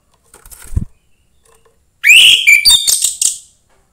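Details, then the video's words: A young forest orange-headed thrush, used to spur other thrushes into song, gives a loud, rich whistled phrase. It slurs upward, then breaks into rapid, sharp, high notes. A soft thump comes first. "suara anis merah MUDA HUTAN meningkatkan felling anis merah lain"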